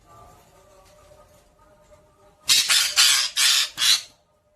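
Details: Talking pet parrot indoors: after a faint, quiet stretch, four loud, harsh, grating squawks burst out back to back, then silence.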